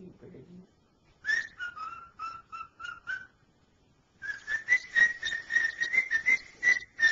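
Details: Pet cockatiel, a male, whistles the tune "Dixie": a brief human voice, then a line of clear whistled notes dipping and holding steady, a pause, and a denser, rising, warbling run of whistles.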